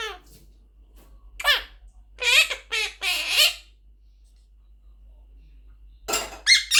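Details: Talking blue Quaker parrot, a pet bird, gives scattered squeaky, speech-like words: a brief chirp, a downward-sliding syllable, three rasping phrases close together, a long pause, then two sharp squeaky bursts.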